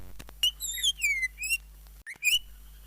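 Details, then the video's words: Indonesian greater green leafbird (cucak ijo) singing a tutor song full of isian and jamtrok: clear descending and rising whistled slurs in quick succession, a brief cut, then another upward whistle after a couple of clicks. "kicau cucak ijo yang bagus full isian dan jamtrok"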